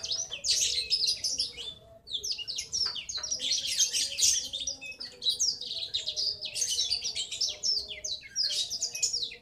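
A young male Black-throated Canary gives a long, rolling chatter of fast, high twitters and trills without a pause, against a faint low hum.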